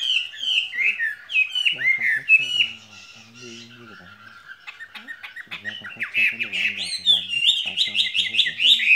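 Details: Song of a caged skylark: a continuous jumble of trilled and whistled notes, with lower murmuring sounds partway through and brighter chattering toward the end.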